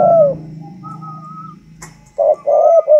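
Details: Spotted dove of the 'thunder voice' type from northern Vietnam, a tame bird; a low hum and soft whistled tones come first, then two or three deep coos close the clip.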